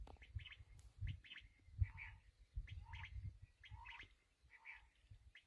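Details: Black francolin (kala teetar, sindhi teetar) giving rasping, clipped phrases of several notes, repeated at irregular intervals of about a second, with faint high chirps from other birds and a heavy low rumble of wind.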